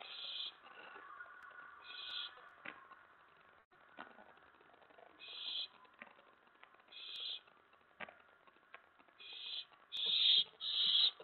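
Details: Owlet inside a nest box at night, 19 May 2017, excited as another owl lands on the tray; fairly faint harsh hissing screeches, each under half a second, come at uneven intervals and grow louder toward the end.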